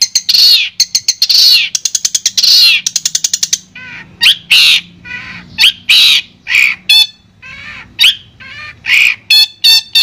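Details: Long-tailed shrike song played as therapy to make a silent shrike sing: opening quick ticking notes give way to loud, harsh, scratchy squawks and buzzy rasping phrases spaced about a second apart.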